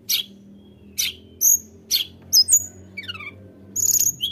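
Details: Sunda robin (tledekan gunung) in full song to provoke rivals: sharp high chirps and bright whistled notes in short bursts roughly every half second, some falling slurred whistles, ending in a buzzy trill, over a low steady hum.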